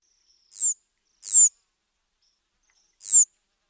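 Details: Waxwing giving three short, thin, high notes, each sliding slightly downward, spaced irregularly over under four seconds, with a clean, quiet background.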